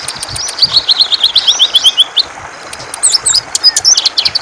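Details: Cucak ijo or greater green leafbird in full ngentrok song: a rapid run of high descending whistled notes, then scattered sharp chirps and clicks at the top of the range.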